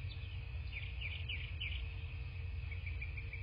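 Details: Bald eagle at its nest in southwest Florida, picked up by a nest camera on the morning of 17 March 2024; a quick series of thin, high chirping notes runs through the middle, over a steady low rumble of wind and hum.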